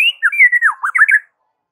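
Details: In the morning a white-rumped shama sings to draw answers from rival birds, giving one quick phrase of rich slurred whistles that dip and rise, ending in a short warbled twist.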